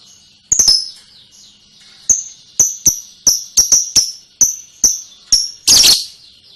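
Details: Lovebird ngekek: a string of sharp clicking chips, each with a falling high whistle, repeated roughly every half second, ending in a loud harsh burst.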